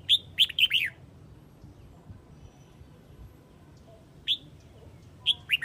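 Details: Flock-calling Red-whiskered bulbul from Huế gives a rapid string of four clear, slurred whistles at the start. Lone notes follow near 4.3 and 5.3 s, with faint low rumble beneath.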